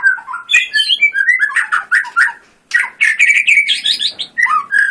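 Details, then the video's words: White-rumped shama singing in full competition style, a rich, fast, varied stream of whistles, slurs and chatters, one short pause, then an even busier burst of high sweeping notes. "Murai batu gacor full tembakan"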